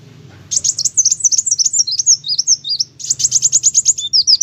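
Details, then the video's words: Kolibri wulung sunbird singing hard: a continuous, fast stream of very high, zigzagging chirps and slurred notes, then a brief dip and a quicker run of sharp staccato notes, low hum underneath. "Burung Kolibri wulung ( kowul ) gacor mantab"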